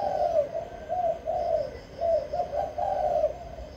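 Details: Caged spotted dove from Vĩnh Long, Vietnam, a decoy bird singing to lure wild doves, gives deep, hollow coos in short rolling phrases, several bursts in quick succession over a low background hum.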